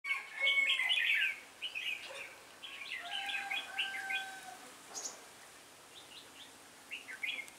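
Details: Red-whiskered bulbul used as a lead decoy bird calling the flock during trapping on 26 November 2017, twenty birds caught; bright warbled phrases in quick bursts, loudest early, then softer scattered notes from more than one bird.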